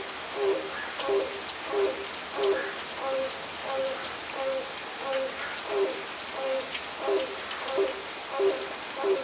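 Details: Grey crowned crane at Seletar Aerospace Park, Singapore, inflating its red gular sac as it gives short, mid-pitched honks, about one and a half per second in a steady run, over a constant hiss of heavy rain.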